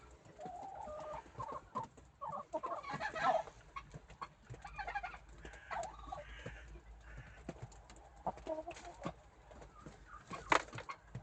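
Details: White and black chickens active in their coop in the morning; a series of short, throaty clucks comes in bursts, mixed with scattered clicks and scratching.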